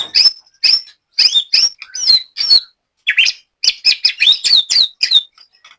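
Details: White-rumped shama in a cage at a latber session in Banyumas, Central Java. It gives loud, high chirped phrases with short gaps between them, then speeds into a dense burst of sharp whistled notes.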